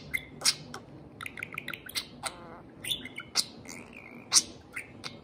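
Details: Pet parakeet singing at a beer can. Busy twittering of quick chirps, short flat whistles and buzzy trills, punctuated by loud piercing squeaks.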